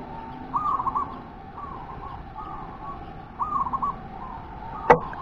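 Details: Wild local zebra dove giving repeated short rolling, trilled coo phrases in pairs, fairly soft against a hissy background, ending with a sharp knock.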